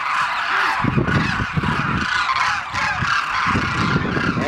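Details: A large flock of demoiselle cranes at the bird granary feeding courtyard in Khichan village, Rajasthan, India, around 8:15 AM, gives a continuous chorus of harsh, overlapping trumpeting and croaking calls over low rumbling noise.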